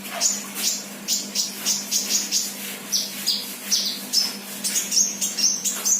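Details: Actively singing ('gacor') untrained sunbird ('bahan') gives a rhythmic series of piercing high chirps, about two per second, some with buzzy edges, while a low steady hum runs throughout.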